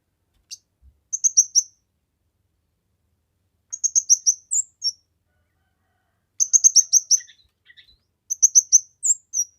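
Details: A kemade repeats its song, recorded for training, luring and stimulating other birds: bursts of four to six quick high chirps, sometimes ending in a sharp whistle, with a few softer notes between phrases.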